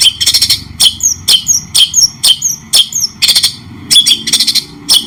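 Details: Murai batu (white-rumped shama) in a cendet-style song for training other birds: sharp chips repeated about twice a second, each with a falling whistled tail, then a few rapid buzzy bursts near the end.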